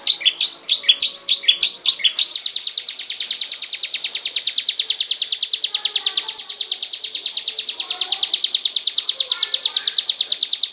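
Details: Prinia named ciblek gunung singing ngebren style: a few jerky chirps lead into a long, metronomic trill of high, sharp notes, roughly three per second, unbroken to the end.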